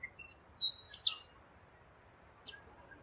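Rainbow lorikeet giving a few quick, shrill chirps and one harsher screech in the first second, then a single brief squeak after a pause.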